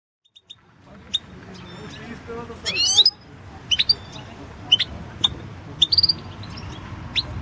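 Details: European goldfinch singing in a 2016 world championship competition recording; sparse high chirps and twittering notes with a brief buzzy burst near the start, over low background rumble and faint murmur.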